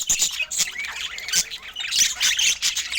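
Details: Several budgerigars calling while feeding, filmed in natural Scandinavian light: a continuous dense, high-pitched twittering chatter of squeaks, chirps and scratchy warbles with short clicks, no music or speech.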